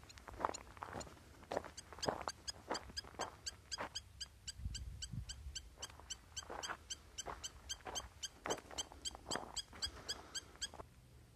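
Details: Spur-winged lapwing giving a steady run of clipped, high, ringing notes, roughly two a second and continuing for about eleven seconds, with irregular louder thuds and rustling bursts in between.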